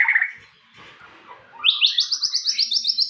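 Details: White-rumped shama giving a low whistled note, a quiet pause, then a rapid series of high, sharp repeated chips at a steady rhythm.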